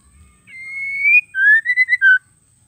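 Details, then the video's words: Female white-rumped shama call, used to spur male birds into singing: a long, clear whistle held level and slightly rising, then a quick series of four short whistled notes ending on a lower note. A faint steady electronic tone sits underneath. "PANCINGAN MURAI BETINA GACOR PALING AMPUH TERCEPAT BIKIN EMOSI MURAI"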